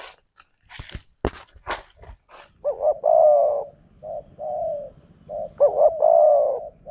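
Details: Wild spotted dove lured by a decoy in Phrae, Thailand, arriving fast and aggressive. Clicking and knocking noises come first, then soft, low cooing and a loud two-part coo: a short wavering note followed by a long, steady, slightly falling croon.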